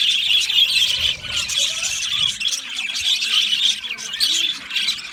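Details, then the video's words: Lonely budgerigar calling loudly, a contact call or sign of distress seeking attention: continuous dense high squawking and chattering chirps with no pauses, strong and harsh throughout. "Lonely Budgies bird loud sound | Budgie parrot chirping sound"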